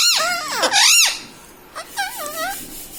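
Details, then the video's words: Talking ringneck parrot kept as a pet, repeating mummy: two loud, wavy, squeaky syllables in the first second, then a softer, flatter spoken-sounding phrase near two seconds, inside a small room. "talking parrot mummy papa"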